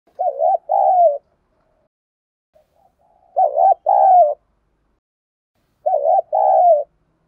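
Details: Spotted dove cooing in the Đồng Pha voice style, used to provoke other doves to fight and respond. Three clear two-part coos, a wavering note then a longer falling one, repeated about every 2.7 seconds against silence.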